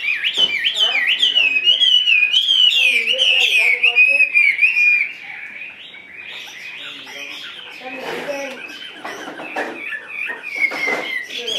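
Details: Chinese hwamei in a cage, pouring out a loud, continuous stream of fluid whistles and rapid trills for five seconds, followed by quieter, broken chattering notes and clicks.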